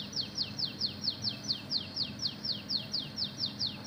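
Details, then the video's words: Kacer (Oriental magpie-robin) in full voice with canary mimicry, delivering an even run of quick descending whistled notes, roughly four per second, high and clear above a faint low background hum. "BURUNG KACER INI JADI GACOR ISIAN KENARI"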